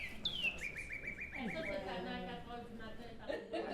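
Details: A Northern Cardinal, presented as a bird found around Longueuil, Quebec, gives a clear whistle slurring downward, then a quick run of about eight short repeated notes; a man's voice soon talks over it.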